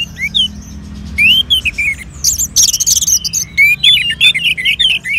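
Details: Orange-headed thrush kept in a cage in Singaraja, North Bali, stimulated with colony bird sounds: short rising and falling whistled phrases with pauses, a burst of very high buzzy chatter in the middle, then a quick run of warbled notes.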